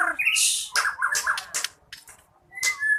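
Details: White-rumped shama singing a caged bird's varied song: harsh scratchy bursts mixed with short whistled notes and a brief clear rising whistle at the end.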